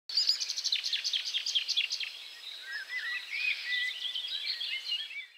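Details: Marsh warbler singing at Strobów on 4 June 2017: a fast, varied stream of high chirps and trills shifting into slurred whistles and squeaky notes, with faint background hiss.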